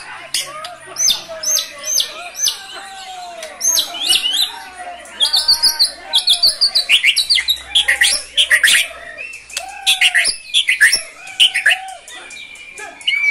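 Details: Cage-kept white-rumped shama in full, energetic song with its fill-in phrases. A dense, varied stream of sharp high chips, twitters and clear whistles, repeated in quick rhythmic bursts almost without pause.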